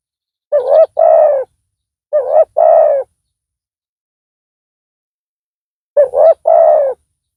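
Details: Decoy spotted dove calling loudly to lure a rival; three coo phrases, each a clipped note and a longer hollow coo, with a long pause before the last.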